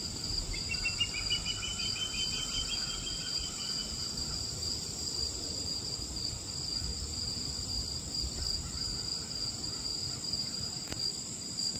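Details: Male and female juvenile ospreys calling for a fish delivery at St. Patrick's County Park, August 16, 2024, 4:22 PM: a run of about a dozen thin whistled chirps, rising slightly, over three seconds, above a steady droning insect chorus.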